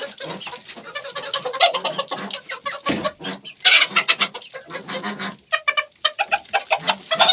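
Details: Chickens feeding: soft low clucks run throughout, mixed with rapid sharp pecking clicks in irregular bursts, with a louder scratchy flurry near the middle and a quick clicking series toward the end.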